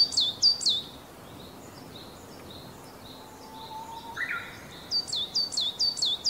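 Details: Coal tit calling very close by in summer in inland Kita-Harima, Hyogo, Japan, giving thin, very high two-part notes, 'chii-chai', in a quick run of about five; a fainter whistle and a brief buzzy note from another bird sound in between.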